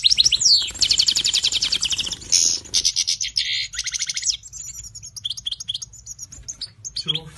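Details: European goldfinch singing during mating, fast liquid trills and twittering runs of high notes, tinkling and slightly buzzy, with a brief lower note near the end and a faint low hum underneath.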